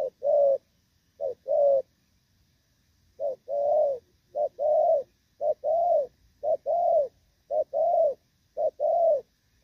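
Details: Thổ Pha spotted dove during moult, 3/6/2024, cooing in rước and gù style. Two short-long pairs, then a brief pause, then a long even run of such phrases at about one per second.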